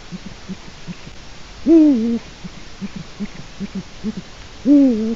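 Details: Eurasian eagle-owl recorded by webcam in Latvia on 4 March 2018, late afternoon: two loud drawn-out calls, each swooping up then falling and levelling, three seconds apart, with a soft low pulsing sequence repeating between them.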